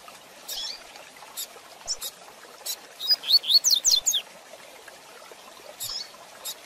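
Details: Teaching recording of a double-collared seedeater singing quick Tui Tui Zel Zel. Around one second of loud, rapid, high slurred notes stands out against a steady crackling of soft clicks.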